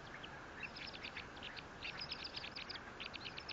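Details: Bald eagle at its large Fort St. Vrain nest, 18 April 2024. Clear, fast trains of high-pitched, piercing staccato notes come in three grouped runs, each several notes long, over a low hissing background.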